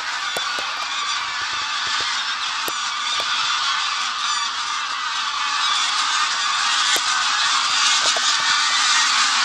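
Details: A flock of over 500 greylag geese, with about as many lapwings, takes flight together from a field at Bentivoglio, Bologna, Italy, on the afternoon of 21 Nov 2009: a dense din of overlapping nasal honks and cackles, with lapwing cries probably mixed in.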